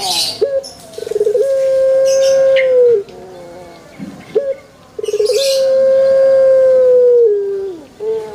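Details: Pelung chicken crowing twice in a banana plantation. Each crow has a choppy, pulsing lead-in followed by a long level tone of about two seconds that slides slightly lower at the close.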